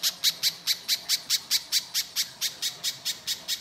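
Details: Lure song of a Little spiderhunter in coarse 'mbeset' style, meant to draw other birds into singing: sixteen evenly spaced, sharp high-pitched notes, about four per second, crisp and strong.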